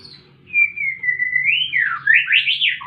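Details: A long, level whistle from a fighting White-rumped shama, rising into a series of quick looping high warbles, over a faint low hum.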